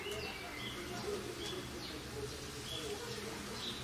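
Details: Great tit singing: thin whistled notes that alternate between a higher and a lower pitch, repeated several times. The notes sit over a steady background hiss and a low murmur.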